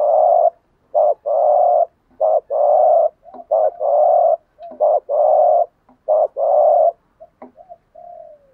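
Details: Spotted dove in steady 'gù thúc' urging coo, sung to make decoy doves answer: repeated phrases of a brief low note followed by a long hollow coo, about six in a row, ending in a soft falling note.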